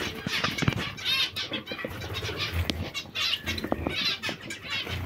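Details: Hungry zebra finches giving nasal, harmonic-rich calls in short bursts, several birds overlapping, with wing flutters and low background rumble between calls.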